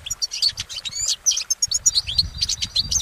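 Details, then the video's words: Goldfinch singing in nature: rapid, high tinkling twitters and bright chirps run almost without pause, with short clear whistled notes between the jumbled phrases. "Exceptional recordings of the goldfinch in nature"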